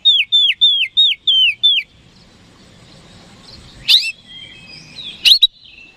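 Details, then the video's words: Six bright, evenly spaced downslurred whistles from an oriental magpie-robin (kacer), meant as a lure to make rivals answer; after a pause, two brief sharp explosive notes follow against a quiet background. "PANCINGAN KACER HARIAN 🔥 Super GACOR Ampuh Bikin Lawan Cepat Respon"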